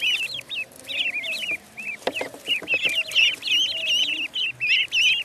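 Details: Loud, insistent peeping from a duckling on a pond, rapid high wavering notes packed closely together, briefly broken by a cluster of sharp taps before resuming.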